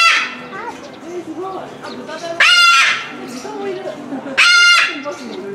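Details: At Omiya Park Small Zoo, Japan, in December 2017, a caged Moluccan cockatoo calls repeatedly. Two loud, strident screeches about two seconds apart, each roughly half a second long, cut through people talking nearby.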